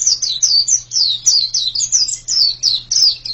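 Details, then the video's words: White-eye (pleci) singing a fast run of high, thin chirps, each a short downward-slurred note, about four per second in a steady stream, with a faint low hum behind. "Ini pasti pleci yang sangat super itu kicaunya"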